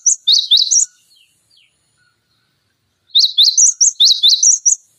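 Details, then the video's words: Bright cinereous tit song used as a training recording for other songbirds: a short cluster of shrill repeated notes, a silence of about two seconds, then a longer rapid series of high, ringing chirps. "Masteran Pancingan Gelatik Batu Gacor Full Isian Tembakan Tajam Durasi Panjang"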